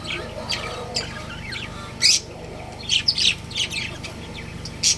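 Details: Pet budgies, a breeding pair, calling: quick high chirps and squeaky notes, with a small cluster of three close chirps near the middle, over a faint steady background hum.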